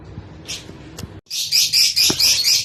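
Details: Rosy-faced or Fischer's lovebirds in a mating call used to stimulate breeding: a quiet start with faint chirps, then a burst of harsh, high, rapid chattering squeaks in quick repeated pulses lasting over a second.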